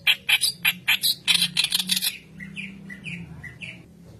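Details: White-browed kerak basi reed warbler singing, kept to train other birds; a fast series of harsh, rasping chatters, then softer short warbling slurs, over a low steady hum.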